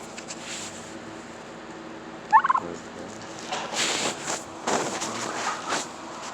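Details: A female heritage-breed turkey with poor eyesight, one of about 35 on a farm, being hand-fed in a barn, gives one brief, rapid rattling gobble partway through amid happy sounds, followed by rustling and soft handling noises.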